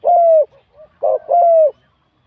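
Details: Spotted dove coo from a wild-caught competition bird with a medium-to-large voice. A long, mellow, level note is followed by faint soft notes, then a short rough note and another long drawn-out coo.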